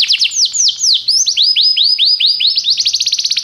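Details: Canary song of descending whistled sweeps that speed up into a rapid, evenly repeated trill.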